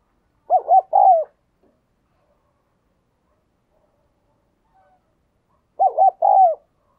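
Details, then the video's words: Decoy spotted dove cooing to lure wild doves, in the Vietnamese thúc and gáy gọi bổi styles. Two identical mellow phrases about five seconds apart: two quick rounded notes, then a longer note that slides downward. Quiet between phrases. "Tiếng Chim Cu Mồi thúc Và Gáy Gọi Bổi"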